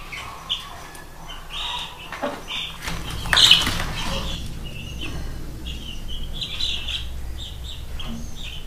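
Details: Chicks of a Spanish Franciscan hen peep steadily in short, high, thin notes, several to a second, over a low rumble and a brief thump near the middle.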